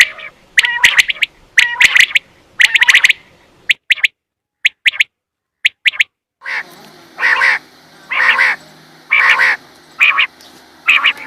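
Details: Quail lure sound for hunting: quick triplets of sharp, ticking high notes, then a run of evenly spaced, buzzy, harmonic calls about once a second over a steady low hum.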